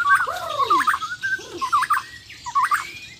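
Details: Borneo White-rumped shama from a champion "Muara Wahau" line in a singing face-off: clear whistled notes with slurred loops and a downward-curving lower whistle, phrases repeated about every second.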